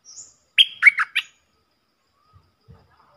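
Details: >Stripe-throated bulbul recorded as a decoy-bird song: a faint high whistle, then four quick, loud, chattering notes in a burst lasting under a second, followed by quiet.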